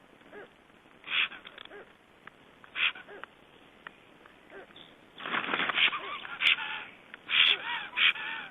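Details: At the nest in Estonia in 2012, a black stork returns to just-hatched chicks: faint scattered rasps at first, then a burst of louder wheezy, hoarse calls and clicks crowding the last three seconds.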